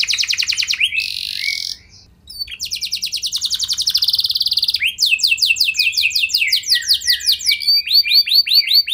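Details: Lure song of a canary to make others sing: rapid high trills broken by a short gap, then rolling sweeping phrases repeated several times a second.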